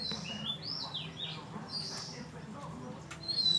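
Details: Oriental magpie-robin singing near Ban Wat Phra Koet, Falami subdistrict, Phatthalung, Thailand: soft, high whistled phrases that slide up and down, fairly faint over a steady low hum.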